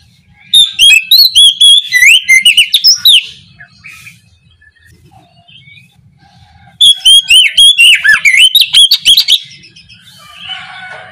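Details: Oriental magpie-robin in loud, open ngeplong-style morning song used as a lure to get reluctant birds singing. Two bursts of rapid, sweet whistled phrases with sharp slurred notes and chattering trills are separated by a pause with faint background chirps.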